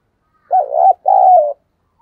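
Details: Decoy spotted dove recorded close up, used to provoke wild doves, utters a low two-note coo: a wavering opening syllable, a brief pause, then a longer steady note sliding slightly downward.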